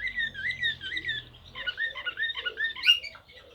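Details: Slavujar-style Serbian blue canary delivering undulating whistled phrases, then a jumble of shorter warbled notes ending in a bright high note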